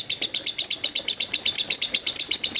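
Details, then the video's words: A lovebird in ngekek action, a continuous chatter timed at 5 minutes 25 seconds without a break: a long, unbroken trill of high, sharp chirps, about ten to the second, with faint voices underneath. "Aksi Ngekek Love Bird"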